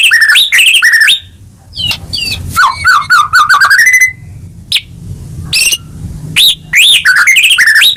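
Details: White-rumped shama singing to encourage a caged bird that has gone quiet; rich whistled phrases, a rising run of quick notes, then scattered sharp chips and swooping whistles.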